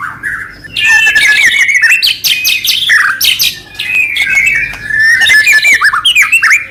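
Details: Loud, continuous white-rumped shama song serving to stir other shamas to sing, packed with rapid chattering and buzzy phrases, interleaved whistled slurs and sharp clicks, dipping briefly in volume midway.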